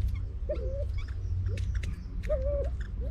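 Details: Edwards's pheasant, a species now believed extinct in the wild and bred in captivity for reintroduction to Vietnam, gives two mid-pitched whistled notes that rise, level off and dip, with a steady low hum and soft clicks behind.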